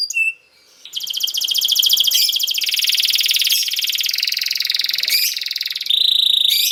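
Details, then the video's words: Canary song for teaching young canaries: a long, dense buzzy roll of very rapid repeated notes held for several seconds, broken by short whistled notes and ending on a steady high trill. "This Canary Sound Is Very Effective For Early Childhood Canaries To Sound"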